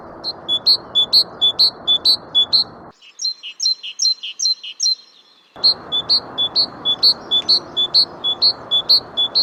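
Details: Great Tit singing a long, very regular run of two-note phrases, a sharp high note followed by a slightly lower one, repeated continuously for almost ten seconds.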